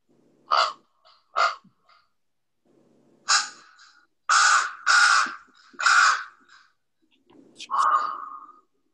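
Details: Common Raven in the Northeast, sounding like a crow with a sore throat: about seven hoarse, grating croaks, two short, then longer rasping calls in an uneven series, ending in a drawn-out falling croak.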